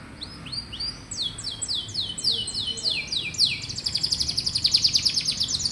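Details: Canary song used as a tutor recording to prompt young or rarely singing canaries. Rapid tours of repeated high, down-slurred whistled notes rise into a fast, dense buzzy trill near the end.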